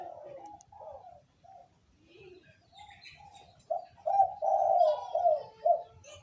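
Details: Wild local spotted dove, 'kuk 2' call: quiet, muffled coos at first, then a louder, throaty run of rolling coo notes near the end, with faint chirps of other birds and a low hum.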